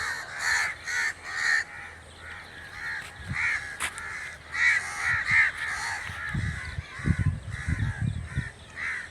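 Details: Repeated harsh cawing of a crow, several birds overlapping in a long series of rasping calls, with a sharp click midway and low rumbling bumps later on.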